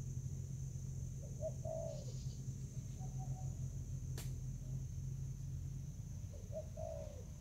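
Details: Spotted dove in Vietnam, recorded 24 July 2019 while fighting over food: two short, low cooing phrases, each a soft rising note and a longer falling coo, several seconds apart, over a steady high whine and low rumble.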